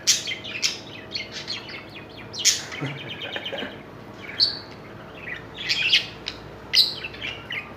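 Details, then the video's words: Budgerigars mating in a cage, giving bright chattering chirps and warbles in irregular bursts, some sharp high squeaks standing out among quieter twittering, roughly two dozen bursts a minute. "تزاوج طيور البادجي او طير الحب في القفاص"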